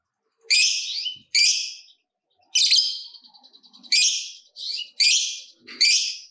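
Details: Lovebird calling to stimulate other lovebirds: loud, harsh, screechy squawks in short bursts, with one stretch of quick buzzing chatter between them.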